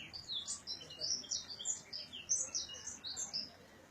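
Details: Early-morning bird chorus at a residence area outside Gondar, Ethiopia, in 2017: quick, high-pitched chirps and short whistled notes tumbling over one another in irregular bursts, quieter than nearby songs, over a light hiss.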